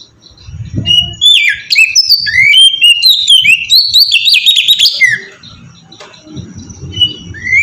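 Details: Melodious ngeplong song of an oriental magpie-robin used as a lure to make other magpie-robins sing: a lively run of whistled notes, stepped slurs and chirps over faint low background rumble, fading to sparse whistles near the end.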